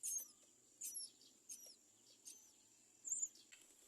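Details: Great myna (Acridotheres grandis) chicks in the nest give thin, high, squeaky begging cries in short bursts about every second, crying because the parent has not brought food, over a steady high-pitched whine.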